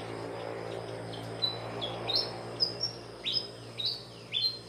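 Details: White-rumped munia (Lonchura striata) in a garden in northeastern Thailand gives thin, high chirps, some sliding downward, in loose bursts about once a second over a low background hum.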